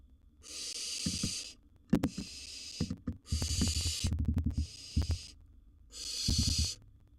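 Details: Wild barn owl owlet at its nest box holding prey, giving a series of long, harsh, breathy hisses, each under a second, over heavy low thumping and knocking noise from inside the box.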